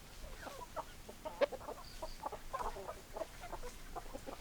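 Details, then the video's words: Chickens being called with their favourite food answer with short, clipped clucks in an irregular series, several overlapping, plus a brief faint whistle partway through. "Chicken Sounds Noises Hens Clucking"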